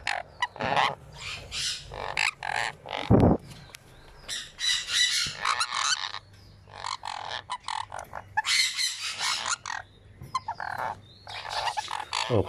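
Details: A one-week-old sun conure chick being fed gives harsh, raspy begging squawks in rapid pulsing bursts, pausing briefly between runs; handling noises are heard in the background.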